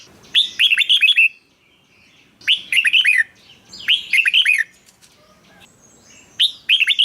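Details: Red-whiskered bulbul singing, recording meant to rouse caged birds: repeated short phrases of four or five quick bubbly whistled notes, each burst about a second long, recurring roughly every one and a half seconds.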